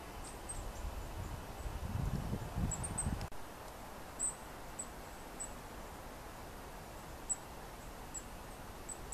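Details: A Goldcrest in a Swedish forest in Uppland on 8 January 2015 gives very high, thin, faint notes, single or in quick pairs, at uneven intervals; low rumbling wind or handling noise fills the first few seconds.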